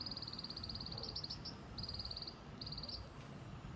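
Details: White-eye giving its tành tạch call: three bursts of rapid, high, dry ticking, fast even clicks in quick series, over steady low rumbling background noise.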